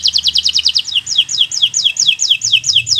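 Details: Bottle-green local canary singing as a tutor for learning birds: a quick run of high chirps, then slower repeated downward-slurred whistles, about three each second.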